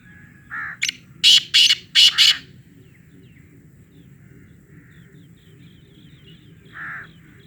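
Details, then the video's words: Black francolin giving its loud call: a short hoarse note, then five harsh, grating bursts in a rapid sequence, a long pause, and one more muffled note, against low steady background noise. "kala Teetar ki awaz black francolin loud voice"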